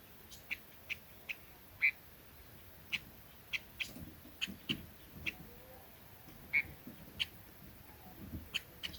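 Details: Red-billed leiothrix call used to lure birds in: sharp, short, high call notes spaced irregularly, about a dozen across the stretch, one louder note near two seconds, over faint low background rumble.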